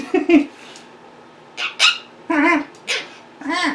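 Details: Caged pet monk parakeets in a small room, calling and mimicking: five short harmonic squawks and chattered syllables, some with a wavering, speech-like quality, spaced by brief pauses.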